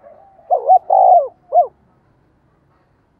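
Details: A decoy spotted dove calls: a faint whistle-like lead-in, then quick double coo, a long even coo and one short clipped note, followed by silence.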